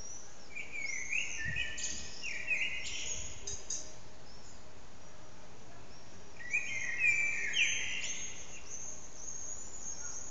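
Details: Blackbird singing especially loudly in an echoing backyard, recorded on an old HTC Desire phone: two mellow, warbled phrases several seconds apart, each ending in high, thin squeaks, with echo tails and a steady background roar.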